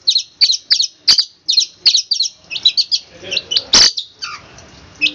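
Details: Long-tailed shrike training song in the tembakan kristal style, a run of sharp paired chips that turns into looser, varied high notes with a broad burst near the end over faint background noise.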